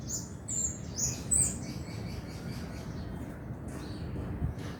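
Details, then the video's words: Male lovebird in full, persistent chatter, ngekek style: bursts of high, sharp chirps and squeaky trills in quick irregular runs, over a steady low rumbling background hum. "SUARA BURUNG LOVEBIRD GACOR JANTAN"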